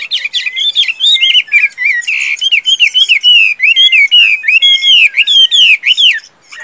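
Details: Loud, sustained song from a tame Chinese hwamei bred for fighting: a long series of bright, arched whistled notes, each sweeping up then down, repeated steadily about twice a second.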